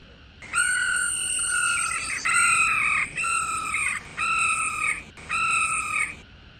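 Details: Female laughingthrush giving a rolling call meant to stimulate males to sing: five sustained, buzzy, harmonic-rich phrases, each about a second long and separated by short breaks, over a faint background hiss.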